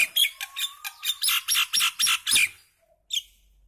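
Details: Song of a common myna: a fast series of rough, scratchy chirps about four per second for two and a half seconds, then a pause and one last squeaky note.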